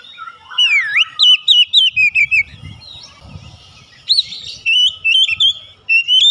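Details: Oriental magpie-robin delivering a lively song of loud, looping whistles in quick succession, a quieter interlude with low background rumble, then another energetic run of bright whistled notes.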